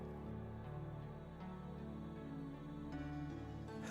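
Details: Soft, slow instrumental music with sustained tones, with no animal sounds.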